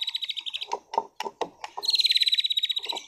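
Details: White-rumped shama, a caged competition songbird from Sragen, Indonesia. High rattling trills frame a string of sharp clicking notes, ending in a long, fast, buzzy rattle.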